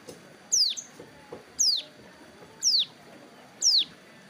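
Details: Captive hill prinia sunning beside a road during wing moult: four sharp, high, down-slurred whistles spaced roughly one second apart, over a soft background murmur.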